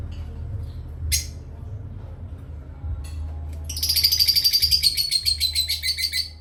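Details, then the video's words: Pet parrots chirping during playtime: after a quiet start with a few clicks, a rapid burst of high, thin chirps about four per second, slowly falling in pitch, over a steady low hum. "Beloved Asia Parrots and playtime with Parrots Chirping"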